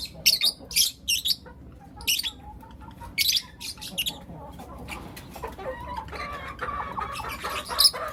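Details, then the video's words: Young lutino lovebirds, four of them, chirp in the morning: a series of loud, harsh high chirps, then softer, lower warbling and twittering notes running together. "Lutino LoveBird Chirping Sounds - four Cute LoveBird Kids"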